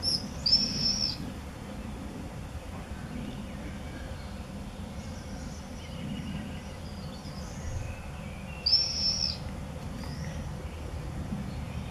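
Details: Visiting common swifts ('bangers') at the entrance openings of observation nest boxes in a home in Beek Ubbergen, filmed 8 June 2014; one piercing, buzzy high scream opens the recording, faint twittering follows, and another scream comes eight seconds later over a steady low hum.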